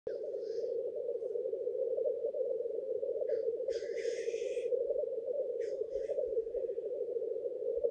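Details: Male black grouse at a lek in courtship display: a steady low bubbling chorus runs throughout, broken by harsh hissing bursts near the start, around four seconds and again near six seconds.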